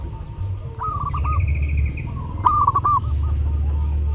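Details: Zebra dove singing vigorously during Lebaran, intended as a tutor recording for other birds: two quick stuttering phrases of clear, bubbling notes, with a brief buzzy higher note between them, over a steady low drone.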